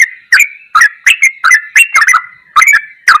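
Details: Ropelan goklikan song of a yellow-vented bulbul used for training: bright, liquid bubbling notes in quick succession, some doubled, with hard clicky onsets and a short pause before the final phrases.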